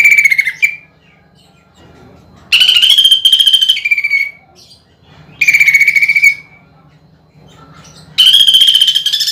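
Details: Greater green leafbird singing energetically with rough 'nembak' bursts of pelatuk bawang (woodpecker) imitation, recorded for song contests: harsh, rapid rattling trills about a second long, repeated roughly every three seconds, with a faint low hum between bursts.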